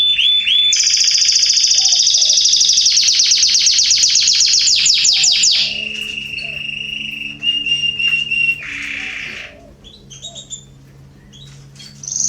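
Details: Garden canaries in September 2020 give a loud, rapid rolling trill that breaks into a series of fast descending notes, then lower buzzy tours. Soft low humming and a distant bird call sit in the background.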